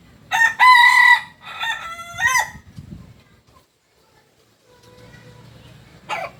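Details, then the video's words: Kukuak Balenggek rooster, a native singing chicken from Solok, West Sumatra, giving a long multi-part crow of several stepped, harmonic-rich segments over about two seconds, then quiet and a short final note. "Ayam kukuak balenggek ayam asli solok sumbar"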